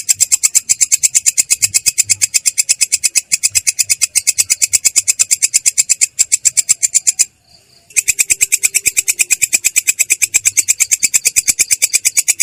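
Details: A long-tailed shrike rolls through a long ngerol song with a clear but rough tone, fast harsh notes repeated about eight times a second, with one brief silence late on before the run picks up again.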